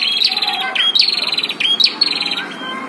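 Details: A prinia battle, caged versus wild: dense high buzzy rattles follow one another almost without pause, each starting with a sharp whistled note, loud and clear above quiet background.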